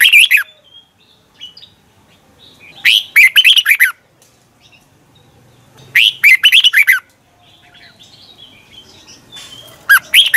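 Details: A red-whiskered bulbul practicing its morning song, repeating energetic phrases of fast, jumbled whistled notes about every three seconds, each lasting near one second, with quiet gaps.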